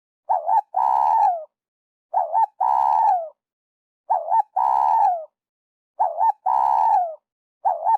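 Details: Repeated spotted dove phrases, for trappers: a short double coo and then a long coo that falls at the end, roughly every two seconds. The long note sounds slightly rough.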